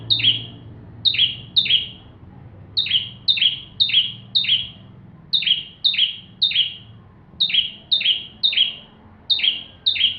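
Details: Bar-winged prinia singing vigorously, recorded to tutor white-rumped shamas. Loud chip-and-buzz notes come in quick bursts of two to four, with short breaks between the bursts.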